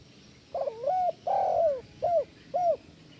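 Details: Spotted dove cooing in a phrase used to prompt quiet doves into calling: a rough rising opening note, a long drawn coo, then two short rounded coos, over a low murmur of background noise.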